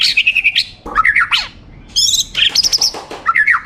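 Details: Competition champion white-rumped shama pouring out fast, dense song: buzzy trills, high warbled notes and quick slurred whistles packed tightly with brief gaps.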